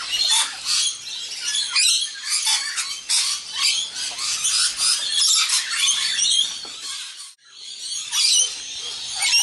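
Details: Flock of wild rainbow lorikeets at a shared evening meal, including a young bird. Sustained harsh high-pitched squawking and rasping chatter from many birds, with a brief lull near the end before the noise resumes.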